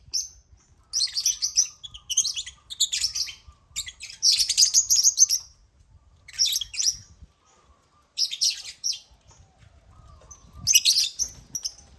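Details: Several pet African lovebirds (Agapornis) clambering over a toy crane hung with millet: bursts of shrill, high-pitched chattering chirps separated by brief pauses, with faint scuffling in the background.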